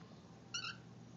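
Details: A happy pet male cockatiel over 10 years old, making his sounds indoors, gives a single brief, clear whistled note that rises slightly and then dips.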